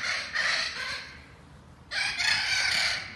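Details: Captive Spix's macaws, a group chosen for return to Brazil, in an enormous flocking aviary: two harsh, raspy screeching bursts, each about a second long, separated by a quieter gap.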